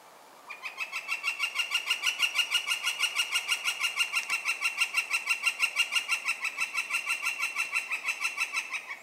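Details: A Northern flicker (Colaptes auratus), hidden from view while drumming and calling on an old tree, gives a long, steady series of loud, ringing, slightly nasal notes, about three per second, for over eight seconds.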